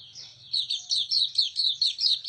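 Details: Hume's white-eye giving a thin, very high, rapid twittering trill in repeated pulses about every quarter second after a soft start, with a faint low hum beneath.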